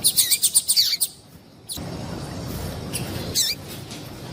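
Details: A female yellow-bellied seedeater calls to stir males into singing. A fast run of about eight high, bright chirps opens the clip, followed by silence and one more chirp, with low hiss behind.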